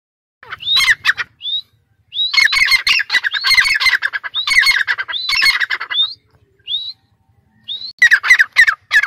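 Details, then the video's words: Dakni teetar, a francolin from Sindh kept caged on a perch, gives grating, scratchy calling phrases broken by brief rising whistles, in three main bursts across the recording. "Pinjry par betha huay teetar ki awaz"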